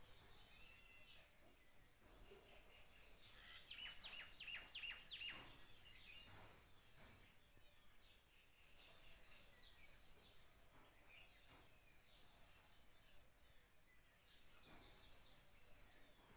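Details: Small birds chirp in quick bright bursts in the morning, over a steady high insect-like buzz and soft background noise.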